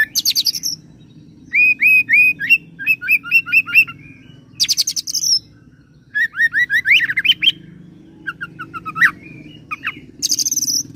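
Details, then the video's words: Kacer, the oriental magpie-robin, singing a mimicry medley of cililin joined to serindit (blue-crowned hanging parrot): fast repeated upswept whistles, high buzzy trill bursts and varied chattering phrases in quick succession. "KACER ROLL CILILIN SAMBUNG SERINDIT"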